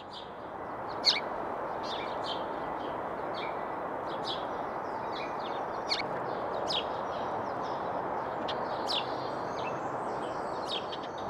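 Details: A flock of house sparrows in an urban allotment in Glasgow trades short, sharp contact calls scattered irregularly through the clip, over a steady hiss.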